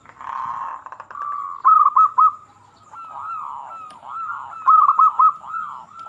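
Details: Local zebra dove singing, used as a lure to get quiet zebra doves to sing: a brief noisy burst, then rapid, bubbling cooing notes in short rolling phrases, with louder staccato bursts near the middle and end.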